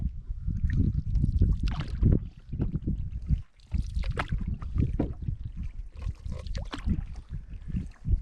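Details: Canoe paddling on Yellowstone Lake: splashes and water swirling, gusts of wind buffeting the microphone, with no animal voices.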